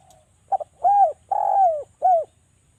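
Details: Javanese spotted dove lure for making doves call: a quick stuttered double note, then an arched coo, a long drawn-out downslurred coo and a final short falling coo, mellow and clear.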